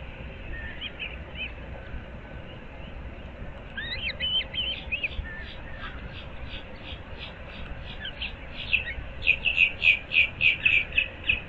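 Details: Nesting osprey of a breeding pair, Moorings Park, Naples, Florida, 06:37 on 15 April 2024: soft scattered whistles build into a rapid run of high chirps that grows loud and insistent near the end.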